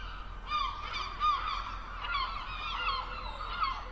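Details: Herring gull, a large gull living from open sea coasts to inland waters: loud nasal yelping cries with clear harmonics, several in quick succession, about one and a half per second, over low background rumble.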